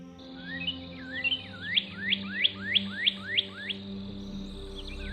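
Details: Northern cardinal, a red-feathered bird of the Northeast, gives a quickening run of about eight loud, clear whistles, each sliding steeply downward, over a steady low hum of background music.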